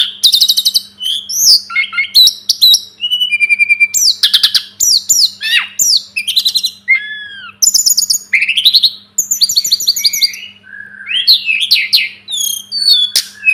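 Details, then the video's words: Sunda robin, known locally as tledekan gunung or sulingan gunung, singing a rich varied song used as a tutor recording for cage birds: fast whistled phrases, sweeping slurs and buzzy trills, mostly high-pitched, in dense continuous bursts, with a faint steady low hum. "Masteran burung tledekan gunung || burung sulingan gunung"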